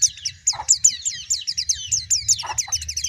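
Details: A dense tangle of high twittering white-eye notes, fairly quiet and continuous, with a couple of lower squawky calls and low background rumble.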